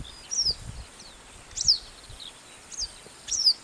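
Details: Yellow wagtail giving its distinctive 'seep' call, four thin, high, down-slurred notes at uneven intervals, over a faint low rumble of background noise.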